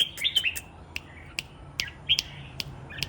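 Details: Caged red-whiskered bulbul singing in the morning while set out in the dew: short, bright whistled notes, some rising, scattered among sharp clicks and taps, over a steady low background hum.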